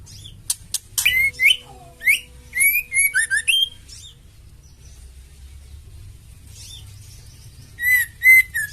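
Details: Female oriental magpie-robin giving a fighter-style call said to stimulate all males to sing; a series of clear, slurred whistles and sharp upsweeping notes in short phrases, pausing midway before more bright whistled notes.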